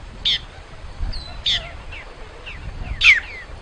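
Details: Great-tailed grackle song, three loud harsh bursts spaced about a second and a half apart, mixed with thin whistles and chips from other birds.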